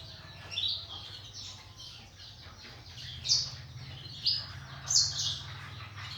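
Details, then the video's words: Morning among caged singing canaries and black-throated canaries kept for breeding: bright high chirps and brief trills, several louder accented notes around the third to fifth seconds, with a constant low droning hum behind. "THĂM CÁC BẠN YẾN HÓT- THẠCH YẾN BUỔI SÁNG"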